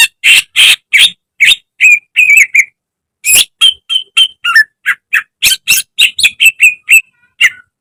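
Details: Greater green leafbird (cucak ijo) in a training recording for caged birds: raspy, broad-toned notes and clear whistled slurs pour out rapidly, pause briefly, then resume as a dense run of varied whistles.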